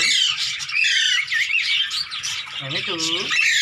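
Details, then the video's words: Indian green ringneck parakeet, tame and handled, calls continuously in harsh, bending shrieks for several seconds, with a lower curved vocal sound, possibly a human voice, near the end. "INDIAN GREEN RING NECK HAND TAME"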